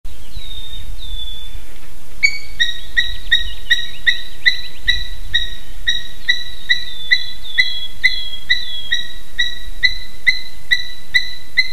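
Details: Two adult Eurasian hobbies visiting a nest in Slītere National Park, Latvia, at 9:06 am on 3 June 2021, recorded on a live nest camera. A faint whistled note opens, then sharp, ringing, evenly repeated notes follow about three per second.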